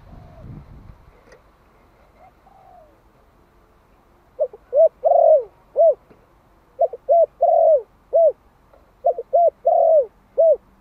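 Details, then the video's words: Malai-type spotted dove, one year old, used in Vietnam as a decoy to attract wild doves. After faint early murmurs come three repeated coo phrases: short, short, long falling, short. "Tiếng chim cu gáy Malai kích bổi - Thanh niên Malai 1 năm tuổi gáy gọi nghe giọng quá phê."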